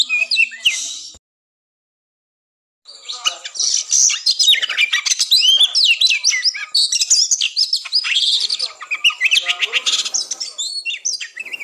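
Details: Oriental magpie-robin fighting song for a pre-contest mental test raising breeding drive; a short burst of whistles, a pause of silence, then a long rapid jumble of chattering, whistled and scratchy notes.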